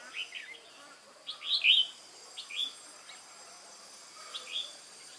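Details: Wild-caught red-whiskered bulbul, recorded 22 October 2018: clear, loud whistled phrases, rising and falling slurs in short bursts separated by brief pauses, with faint lower notes behind.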